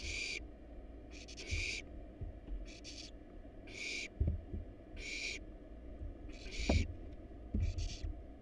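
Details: Wild barn owl nestlings devouring a rat and rabbit in their nest box keep up a run of about nine loud, raspy hisses in eight seconds, mixed with scraping and knocking from movement.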